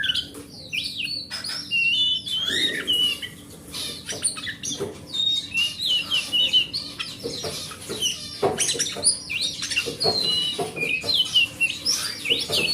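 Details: Oriental magpie-robin from the forest, song used as a lure to prompt reluctant birds to sing: long varied medley of whistles, rapid chirps and clicking harsh notes, sharp knocking sounds and a steady low hum behind.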